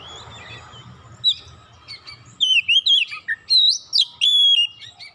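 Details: Oriental magpie-robin, provoked once and instantly agitated, pouring out its isian (learned fill-in phrases): after a quiet start, loud whistled notes swoop, wobble and slur up and down in quick bursts, with brief gaps between them.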